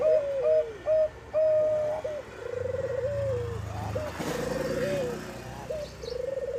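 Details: Bangkok-type zebra dove song used as a lure to prompt other doves to sing: short level coos and wavering trilled phrases, with a steady low engine-like hum underneath and a brief burst of broadband noise midway.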